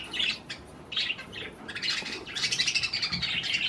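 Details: Pet budgerigars eating cherry tomatoes chatter steadily: scratchy, warbling chirps and squawky notes, rising into a continuous busy chatter in the second half.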